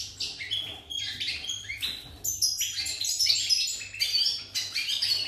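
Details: Short burst of song from a pied European goldfinch, 8 November 2019: choppy phrases of sharp chirps and thin liquid trills, roughly one note cluster a second at first, then a denser, higher twittering run; faint hum behind.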